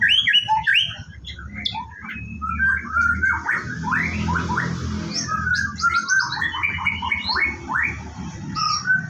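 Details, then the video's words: White-rumped shama at a bird farm, morning routine before a bath: a rich, continuous song of quick whistles, trills and chattering notes, varied and fast-paced throughout, over a low rumble. "Rutinitas Pagi Murai Batu"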